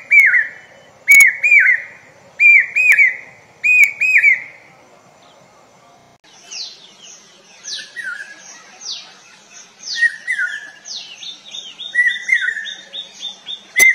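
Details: Common hawk-cuckoo giving repeated shrill three-note whistled phrases at a steady pitch, with sharp clicks over them. Higher, busier chirping from other birds takes over midway, and fainter cuckoo phrases return near the end.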